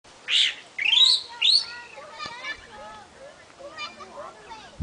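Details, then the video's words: A wild chalk-browed mockingbird (Mimus saturninus) on a hill in the Seridó sertão, Florânia, Rio Grande do Norte, Brazil, sings three loud, harsh, rising phrases, then softer varied whistles and chatters as other small birds call behind. "O canto do sabiá branco, papa sebo (Mimus saturninus)"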